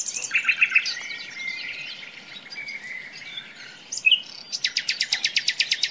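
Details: Common nightingale singing in a forest: varied high phrases with short slurred notes, then a fast run of sharp, evenly repeated clicking notes, with other birds faintly chirping behind.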